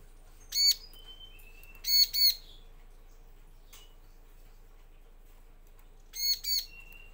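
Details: Bar-winged prinia lure recording meant to make male and female reply: scattered harsh, buzzy high notes, one then paired bursts, with thin level whistles drifting in between over quiet background.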